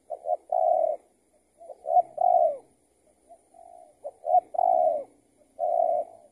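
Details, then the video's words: Spotted dove being lured by a decoy; the target was an escaped tethered trapping bird. Coo phrases of quick short notes followed by longer hollow, slightly falling coos, repeated about every one to two seconds. "Pikat Tekukur siapa ini yang LEPAS"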